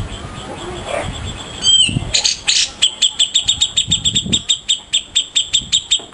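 Grey-cheeked Bulbul: a brief sweeping note, then a fast run of sharp, high chipping notes, about five per second, over a faint murmur of background noise.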